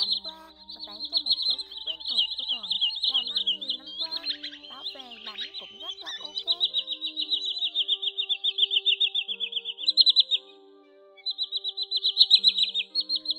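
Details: Common greenshank flock-calling recording used as a lure to attract birds: long runs of rapid, high, piping notes repeated several times a second. A jumble of lower tones and chatter sits in the middle, followed by a short pause before the piping resumes.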